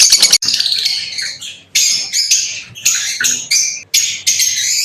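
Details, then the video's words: Lovebirds singing and chirping in shrill, high squeaky bursts separated by short gaps, harsh twittered phrases rising and falling. "লাভবার্ড পাখির ডাক - LoveBirds Chirping Sounds - Lovebird Sounds Singing"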